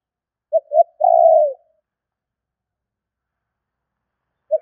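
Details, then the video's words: Spotted dove calling as a lure: two clipped coos then one long low coo slipping downward, followed by silence and the start of the next phrase. "Tiếng chim cu gáy gọi thúc kích bổi nhanh nổi"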